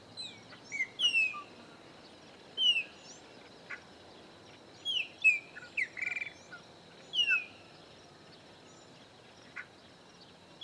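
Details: Chopi blackbird, one of three visiting a farm in the sertão of Bahia, Brazil, Caatinga biome; clear whistled notes sliding downward, given in short bursts with pauses, over a steady high insect hum.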